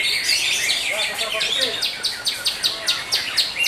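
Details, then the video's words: Greater green leafbird at a songbird contest, session five, hanging post 18, singing a rapid run of sharp, descending whistled notes at about three per second, with faint voices and other birds behind. "CUCAK HIJAU"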